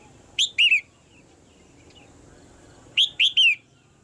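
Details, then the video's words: Two identical three-note phrases from a caged female red-whiskered bulbul, whose calling excites the male to sing harder. Each is loud and clear, with short rising-falling whistles ending in a longer down-slurred note. "นกหัวจุก birds - เสียงนกตัวเมียในกรง กระตุ้นให้นกตัวผู้ร้องหนักขึ้น"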